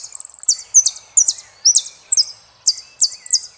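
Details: Argentine saffron finch opening with a fast stuttering trill, then repeating strong, high, slurred two-part phrases roughly once a second, bright and somewhat buzzy.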